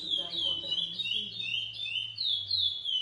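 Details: Lesser seed finch of a GP by Coimbra cross, captive-bred, sings short sweeping whistles in quick succession over a low steady hum and faint voices.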